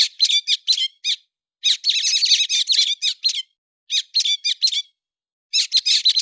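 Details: September 2020 recording of a héc xoan bird giving rapid, high, chattering chirps in dense runs with short pauses, notes sharp and twittering, no other sounds.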